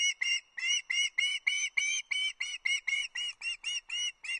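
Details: Fish-begging juvenile osprey at a Loch Arkaig nest, 31 August 2022, awaiting a trout delivery from the male; steady, rapid string of loud, slightly hoarse whistled notes, roughly three or four per second.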